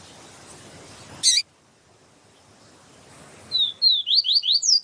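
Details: Siu siu double-collared seedeater, a female calling to stir the male: a loud click breaks steady hiss, then quiet, then a lively string of six or seven quick, high, rising and falling whistles.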